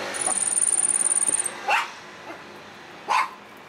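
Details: A Yellow-faced grassquit in strong wind gives a thin, very high, buzzy trill lasting just over a second, followed by two short, lower yelping barks, likely from a dog.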